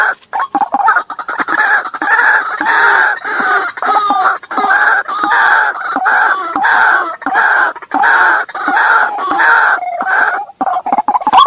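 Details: White-breasted waterhen lure recording used to draw out hidden waterhens and provoke them: loud, harsh, croaking calls repeated rapidly in bursts of about a second, overlapping into a dense, chaotic chorus throughout.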